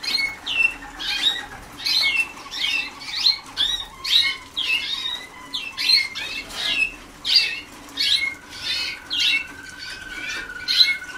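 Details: Young Waterslager canaries in training, 2010, giving a rhythmic series of harsh chirps about twice per second, later joined by a steady whistled tone, against faint room noise.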